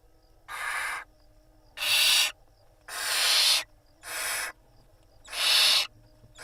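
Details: Nest-box barn owls in Israel on 26 April 2021, with the mother preening her five chicks: five rasping, breathy hisses of about half a second each, repeated at a steady pace of roughly one per second.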